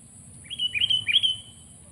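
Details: Sooty-headed bulbul gives three bright, fluting whistled notes, each sliding upward then held briefly. The notes come in an even sequence across about a second, with faint low rumble beneath.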